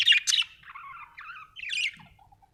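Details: Budgerigar chirping: a loud burst of high, squawky notes, then softer warbling chatter dipping lower, another rising scratchy burst, and a few faint trailing chirps in a quiet setting.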